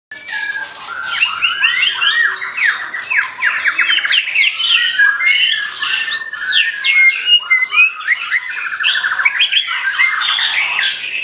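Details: White-rumped shama singing vigorously: a dense, unbroken stream of varied whistles, trills and rapid chattering notes, with many rising and falling slurs packed together and no clear pauses.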